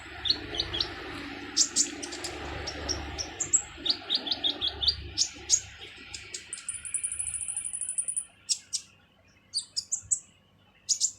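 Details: Purple-throated sunbird, locally kolibri ninja, delivering a harsh full song for training other birds: many rapid sharp ticks and chirps, a long thin high whistle, then more buzzy notes over hiss and low rumble.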